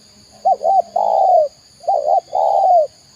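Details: Spotted dove, Indonesian tekukur, delivering two loud coo phrases in quick succession, each two short curved notes and a long coo sliding downward.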